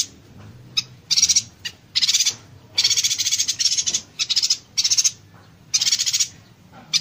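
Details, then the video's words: Yuhina calling: rapid, high, buzzy crackling bursts, each under half a second, repeated about a dozen times in quick succession like tight electric sputters; used as a tutor recording for other songbirds. "Suara Burung Yuhina Konslet Tembakan Rapat"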